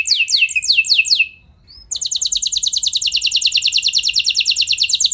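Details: Canary song to make other canaries sing long rolls. A few slow, descending slurs end in a short silence, followed by a long, fast, steady high roll of repeated notes.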